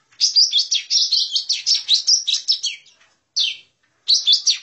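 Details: Lesser green leafbird, a lure recording for trapping: a fast, high chatter of varied sweeping and twittering notes lasts nearly three seconds, then a single swept note and a fresh burst.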